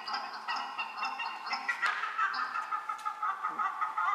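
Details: A Paradise shelduck (Tadorna variegata) pair duets on the Otago Peninsula, New Zealand: the female gives the really loud, raw, rasping part and the male gives harsh, loud honks, overlapping in a rapid, uneven stream of several calls per second.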